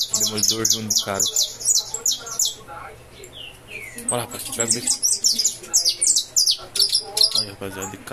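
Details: Captive-bred saffron finch delivering fibra-style song, bursts of high metallic chirps broken by a short pause and a few sliding notes, then resuming quickly.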